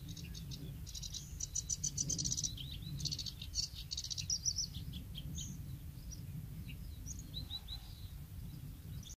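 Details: Bluethroat song recorded at Woumen in 2018: rapid, varied phrases of high chirps, buzzy trills and thin whistles, some repeated notes in quick runs, with pauses between bursts and a constant low background rumble.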